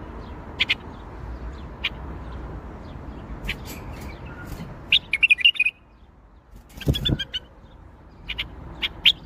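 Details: Bulbul singing in the Baghdadi style (tor Baghdadi): scattered short chirps, then a quick burst of bright, warbled whistled notes midway and another jumbled cluster near the end, over a low background rumble.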